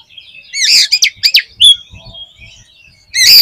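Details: Oriental magpie-robin (kacer) in energetic 'gacor' singing: loud, varied whistled and chattering notes in quick bursts over about a second, a quiet pause with faint twittering, then another loud sharp phrase at the end.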